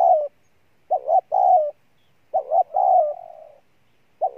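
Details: Spotted dove decoy cooing strongly: short loud opening note, then paired coos with a wavering longer second part, one trailing off slowly into a fading hum.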